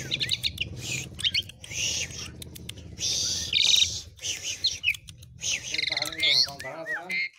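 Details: Javan pied starling with an isian song meant for tutoring other birds: scratchy high warbling and squeaks, a clear whistled note midway, and rapid downslurred whistles near the end over a faint low hum.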